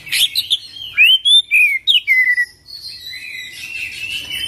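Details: Oriental magpie-robin giving a run of clear, slurred whistles that rise and drop in quick succession, followed by a softer, quieter warbling passage.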